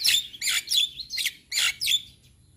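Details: A male Javan myna gives about six harsh, chattering bursts mixed with squeaky whistles, each under half a second, spaced roughly every third of a second.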